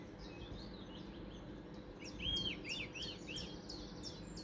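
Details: Song thrush singing in Weston village on 30 April 2023: faint, varied high whistled and chirping phrases, some notes sliding up and down, over steady low background rumble.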